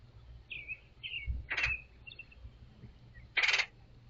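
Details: A male red-headed woodpecker calls from a balcony railing beside bird feeders before heading to the trees, giving a few short, high chirring notes, then two loud, harsh rasping calls about two seconds apart, over a low hum.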